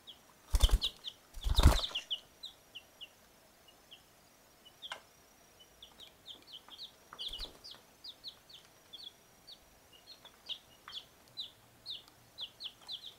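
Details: Four-week-old chicks of mixed breeds (Easter Egger, light Brahma, blue Silkie, red Leghorn) peeping: two loud bursts of wing flapping early on, then a steady stream of short, high, down-slurred peeps about once per second.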